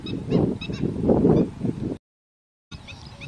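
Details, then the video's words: Garganey duck uttering dense, grating low bursts for two seconds, then a break, with faint high whistled chirps from other birds behind. "গারগনে হাঁস | Garganey duck"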